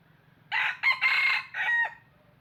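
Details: Red junglefowl decoy crowing for use in trapping: a loud, coarse four-syllable call, the short opening notes leading to a drawn-out middle note and a brief ending, faint low hum behind.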